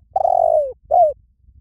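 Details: Dove giving a long, mellow coo that slowly falls in pitch, followed after a short pause by a brief slurred coo; otherwise quiet.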